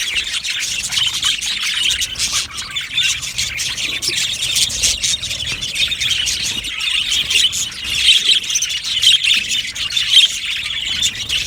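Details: Steady high-pitched chatter of a budgerigar aviary colony, countless overlapping chirps, squeals and warbles forming a continuous buzzing wall of sound.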